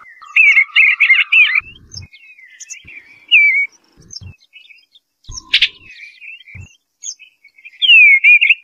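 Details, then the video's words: Eastern bluebird singing soft warbled phrases at mid-high pitch, one burst at the start and another near the end, with scattered thin chirps between and low dull knocks in the background. "Eastern Bluebird Call The Melodious Song"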